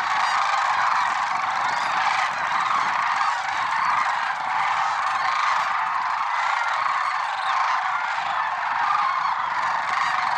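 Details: Early-morning lesser sandhill cranes on Merced National Wildlife Refuge, February 6, 2023. Constant massed calling, countless overlapping honks and rattles forming a steady roar with no pauses.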